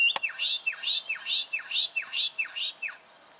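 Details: Juvenile brown goshawk recorded in Victoria, Australia, in October 2011, giving a steady series of sharp, down-slurred high notes, about two per second, each with a brief rising lead-in.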